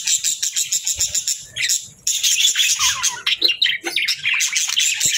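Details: Budgies, pet birds, start with a fast even series of about ten quick chirps, then break into a loud, continuous scratchy warble mixed with sharp squeaky notes.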